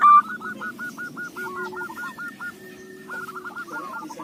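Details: Local zebra dove singing, kept as a lure bird: a rapid series of rolling, repeated cooing notes in a low-pitched trill, a pause, then another rolling burst, with a faint steady tone in the background.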